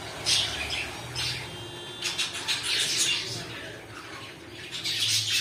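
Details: Pet cockatiels uttering rough squawks and chirps in loose bursts, with a brief whistled tone in the middle and soft room noise.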